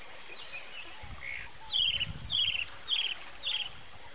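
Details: Roadside hawk, disturbed, uttering four evenly spaced, rasping, slightly falling notes about every half second after a softer opening call, with faint bird chirps and a background hiss.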